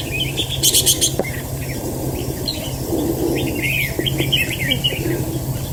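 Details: Red-whiskered bulbul, a fighting bird used in a trap, giving a run of short, warbled, chattering notes. Near the start comes a brief bright metallic clatter, and a steady low hum runs throughout.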